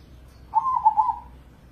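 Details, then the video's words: A crossbred zebra dove from Indonesia, kept as a competition songbird. It gives a single short, rolling cooing phrase of soft trilled notes that fades out, with quiet low hum behind it. "Pancingan Pekutut Crossing Gacor Dorr"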